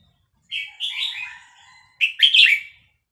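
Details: Caged Vietnamese red-whiskered bulbul, excited by chick playback, delivers two quick song bursts of warbled, slurred notes, the second louder and more bubbling, in rapid linked succession over a quiet background.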